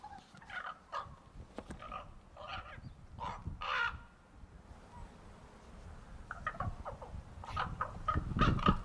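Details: Juvenile Common Ravens near Johnson Farm wetlands on Anderson Island, where they nest nearby and gather in summer. They give harsh, raspy squawks and croaks in irregular bursts over a low rumble: babies practising their voices, not yet sounding like adults.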